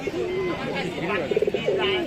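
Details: Domestic Shirazi pigeons at a pigeon market before Eid give low, throaty coos, one a calling male, mixed with people talking nearby.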